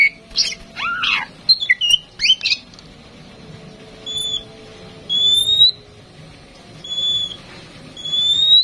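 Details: A tame female oriental magpie-robin used to draw song from other birds opens with a quick jumble of varied, sliding notes. Several clear, pure, slightly rising whistles follow, evenly spaced about a second apart.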